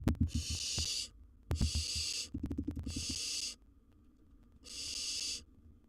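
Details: Wild baby barn owl in a monitored nest box, handling a large gerbil it has caught; four harsh, breathy hisses of about one second each, broken by dull thumps and scuffling from movement in the box.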